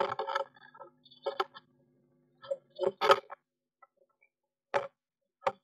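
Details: A woodpecker intruding at a blue tit nest box with chicks inside, 19 May 2021, pecks on the wood in sharp, irregular knocks, some single and some in quick pairs, over a few seconds; a faint low electrical hum runs underneath.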